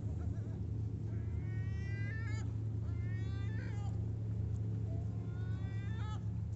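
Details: Gulls at Sorrento, Italy; three drawn-out, harmonically rich wailing calls about a second long each, spaced a little over a second apart, over a steady loud low rumble.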